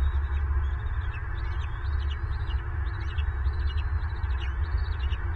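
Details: Bald eagles at a Southwest Florida nest, 25 February 2023, while an adult feeds a chick and becomes angry at both young; rapid, short, high chip notes run in quick series through a dull low roar.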